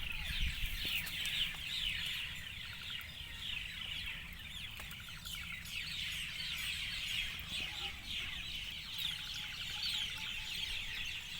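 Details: Flock of birds calling at dusk, countless overlapping sharp chirps that fall in pitch and run on without pause, over a soft low hum.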